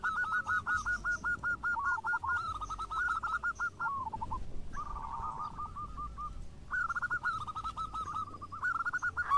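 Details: Local zebra doves singing actively, answering each other: rapid runs of short, ringing cooing notes at a steady pitch, overlapping series from several birds with brief pauses, over a low background hum.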